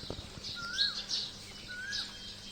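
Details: Asian koel calling at dawn on a foggy morning, heard from a balcony; it starts calling after 3 am every day throughout Ramadan. Two clear whistled notes about a second apart, each rising slightly then dipping, with faint higher chirps from other birds.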